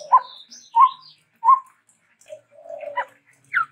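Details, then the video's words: Chestnut-rumped babbler from Sumatra, named there as endemic, giving a varied song: three clear mid-pitched whistled notes spaced about 0.7 seconds apart, then quieter scattered notes and a final sharp down-slurred call. "TEPUS TUNGGIR MERAH GACOR VARIASI"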